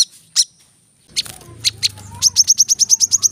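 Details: Brown-throated sunbird song, 'tembakan rapat' style, used to train cage birds: a few isolated high chips, then an even, rapid run of about ten sharp, clipped high notes.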